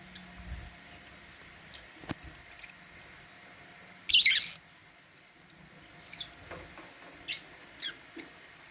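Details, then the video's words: While eating holy basil at meal time, caged African lovebirds let out one long, harsh, rasping chirp, followed by several shorter, softer chirps and a few light knocks. "Meal time | African Love birds | Eating Holy basil | chirping sound"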